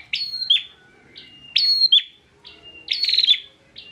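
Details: Captive bar-winged prinia in Central Java, Indonesia, used as a song tutor for other songbirds: sharp upswept buzzy notes and short steady whistles, three loud bursts in under four seconds, quiet between them.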